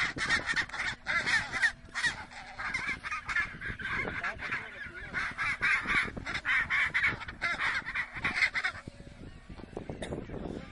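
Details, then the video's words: Fighting Chinstrap penguins on the Antarctic Peninsula: a continuous rapid, raspy chattering of many pulses, loud and harsh, fading near the end amid colony noise. "Fighting Of Chinstrap Penguins"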